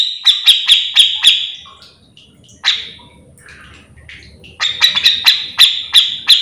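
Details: Grey-cheeked bulbul (cucak jenggot) singing, recorded for tutoring or luring other birds of its kind: bursts of sharp, buzzy notes in quick succession, a quieter pause with scattered chips, then another rapid run.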